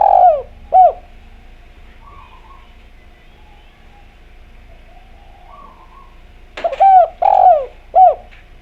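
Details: Spotted dove (derkuku) used as a clear-voiced lure to get other doves singing. Low cooing phrases open and close the recording, separated by several seconds of quiet with faint warbling. The last phrase has a sharp start, a long coo and a short arched coo.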